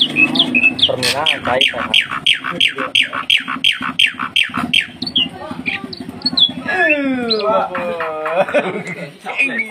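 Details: White starling singing: a fast run of sharp, repeated clicking notes, about three a second, then looping slurred whistles that rise and fall, with faint voices in the background.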